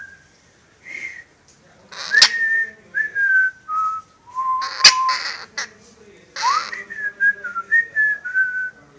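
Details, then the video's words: Pet parrot that wolf whistles and whistles a marching song, here giving a string of clear whistled notes, some sliding up or down, in separate phrases, with a few brief human voice sounds and knocks in a quiet room. "The Whistling Jungle Parrot"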